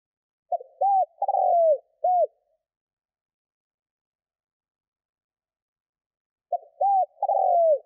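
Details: Spotted dove call used to lure wild birds: two phrases of low cooing notes, each a short opener, an arched coo, a long blurred coo sliding down, then a final arched coo, separated by about four seconds of silence.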